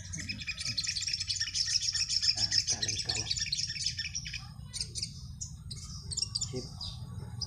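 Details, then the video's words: Sunbird (sogon) face-off singing contest (adu mental) held around four in the late afternoon, near roosting time. A dense, high, chattering trill dominates the first half, then breaks into scattered sharp chips, with people's voices heard in the middle. "adu mental sogon"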